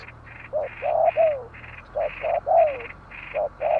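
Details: Spotted dove giving mellow, hollow coos: short notes and drawn-out falling ones in uneven phrases, over a steady, higher, pulsed buzzing in the background.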